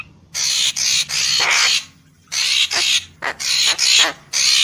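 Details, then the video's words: Lure recording of a Papuan magpie-robin in full voice: grating, scratchy bursts run together in quick sequences, broken by a short silence. "Suara Pikat Burung Murai Papua Full Gacor"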